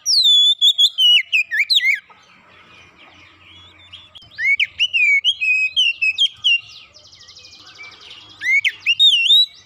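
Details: Kacer (Oriental magpie-robin) in fast 'gacor' song, played to lure a silent bird: rich whistled notes falling and twisting in rapid bursts, a quiet pause, more varied slurred whistles, a buzzy trill, then whistling again.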